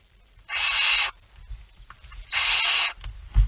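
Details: Barn owl at nest box K5 during feeding, early morning, 19 September 2019 at 05:28: two long, harsh, breathy hisses about two seconds apart, with soft low thumps and scrapes between them.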